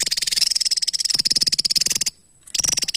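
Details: An energetic Javan tesia pours out a continuous rapid ticking trill of high, slightly whistled pulses for two seconds, pauses briefly, then starts again.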